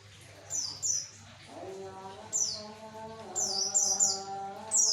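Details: Javan white-eye song for luring males: high, downward-sliding chirps, singly and in quick pairs, over a low buzzing hum with layered steady tones.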